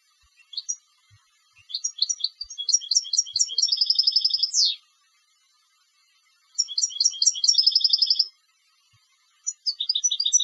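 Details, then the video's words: Competition European goldfinch singing: phrases of quick high twittering notes running into fast buzzy trills and a downward-sweeping slur, repeated after short pauses. "Jilgueros de Concurso - Canto del Jilguero"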